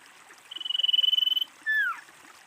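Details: Female common iora, slightly more distant: an even pulsed trill lasting about a second, then a clear whistle sliding downward, over a soft hiss of background noise.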